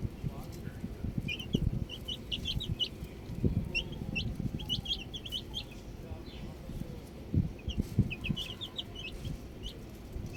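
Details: Baby chicks chirping outdoors: clusters of short, high, rising peeps come in quick bursts around 1.5, 2.5 and 8 seconds, over steady low rumbling background noise.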